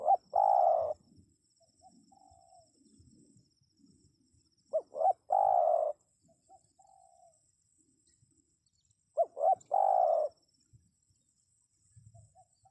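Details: Spotted dove, sound used to get wild birds to answer: three identical loud phrases, roughly every four and a half seconds, each two short arched coos then a long steady low note, with faint softer coos between.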